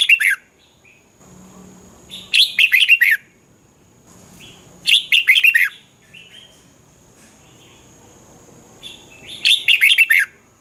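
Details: Red-whiskered bulbul song from Thailand, used to excite caged bulbuls: three loud, rapid phrases of four to five bright, slurred whistled notes, spaced several seconds apart, with a faint steady high tone and soft low background noise between them.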